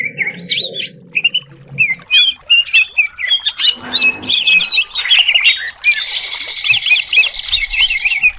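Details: Contest-type greater green leafbird (cucak cungkok) delivering a dense, varied song to provoke competition birds: jerky whistles, harsh chatters and squawky notes, then a steady buzzy trill with overlaid warbles near the end.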